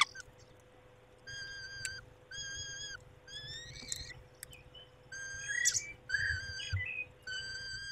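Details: Peregrine falcons at a nest, a male tending the females, 23 May 2021 at 19:40; a series of drawn-out, harmonic whining calls come in bursts of about a second, separated by short pauses, over a low steady hum.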